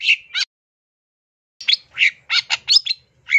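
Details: Long-tailed shrike (cendet) song from a masteran training recording with full 'isian' fill-in phrases: two short high chirps, a pause of over a second, then a rapid run of varied sharp, clipped notes and short trills; otherwise quiet.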